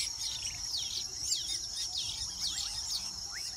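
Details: Weaver birds at their nests in Uganda, busy with nest building: a dense chorus of quick chirps and sweeping, slurred whistles from several birds overlapping, over a steady high-pitched insect hiss.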